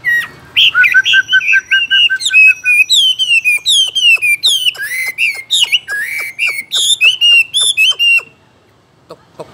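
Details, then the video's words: Caged Chinese hwamei singing: a loud run of rising, slurred whistled notes, each with a sharp click, tumbling quickly together for about eight seconds before breaking off into near silence. "Làm thế nào để nuôi được chú họa mi hót như này"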